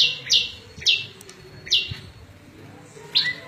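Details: Prinia, a small bird, in a varied song: four loud, high, down-slurred chips spaced about half a second to a second apart, with faint low background noise.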